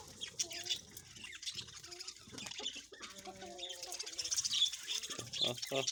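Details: A captive budgerigar colony in a breeding setup chatters with rapid, high, scratchy chirps and warbles, with a man's voice in between.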